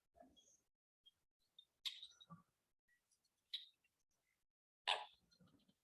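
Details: Three male Ruddy Ducks in courtship display in Harney County, Oregon, tails raised, slap their bellies with their bills, forcing air from the feathers into bubbles. This gives dry ticking taps and short, harsh belching bursts about every one to two seconds.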